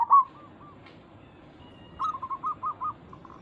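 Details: Local zebra dove (perkutut lokal) calling to provoke a reply from other doves: a short loud opening coo, a pause, then a rapid run of five or six clipped, evenly spaced cooing notes.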